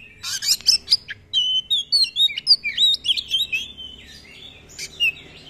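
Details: Oriental magpie-robin (kacer), a keen singer delivering long rolls and varied filler phrases as tutor song: fast sequence of crisp chirps and looping whistled notes, slowing into longer sliding whistles near the end.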